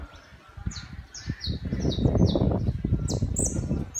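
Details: City saffron finch, one of a tame pair visiting a terrace: a string of high, sliding chirps repeated rapidly, partly masked by loud low rumbling and rustling noise.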